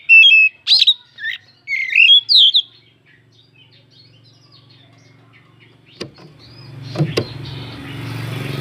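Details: Oriental magpie-robin song used to provoke rivals into singing: a short burst of bright whistled and warbled notes, then near silence with a couple of sharp knocks and rising rustling noise.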